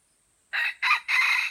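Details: Junglefowl from Aceh, a white-legged F1 bird, crowing: three harsh, loud bursts in quick succession, the last one longest, over a faint steady high hiss.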